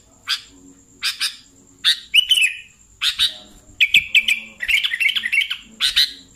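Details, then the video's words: Sooty-headed bulbul lure calls for trapping bulbuls: short sharp chirps spaced about a second apart, then quicker bubbly, slurred chattering notes, with a faint steady high tone throughout. "SUARA BURUNG Kutilang Pikat"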